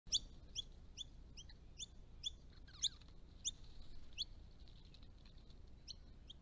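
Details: Eastern Rosellas, resident colourful parrots visiting ponds and dams on a property: a series of short, high, sharp chirping notes repeated roughly twice a second, with a brief buzzy note near the middle and low rumble underneath.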